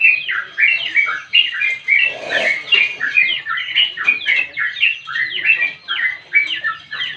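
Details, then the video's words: Sooty-headed bulbul's vigorous long ngropel song, used to stimulate singing in other birds: quick repeated bubbly phrases, slurred up and down, with a brief burst of lower noise early on. "Burung Trucukan Gacor Untuk Memancing Bunyi Dan Masteran"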